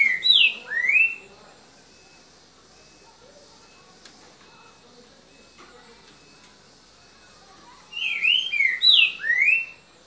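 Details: Green-winged saltator in "boca mole" song style, evening of 3 January 2019; two bursts of loud whistled notes, sliding up and down, separated by about seven seconds of quiet background.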